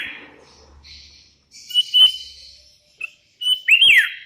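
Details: Sooty-headed bulbul calling rivals while wild birds reply: a few sparse whistled notes and short phrases separated by quiet gaps, ending in a louder, sweeping bubbly call.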